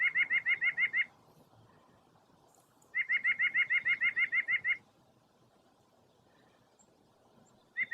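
White-breasted Nuthatch giving quick runs of nasal, even-pitched notes, about six to eleven per burst, with a pause of two seconds between runs over a low background hum.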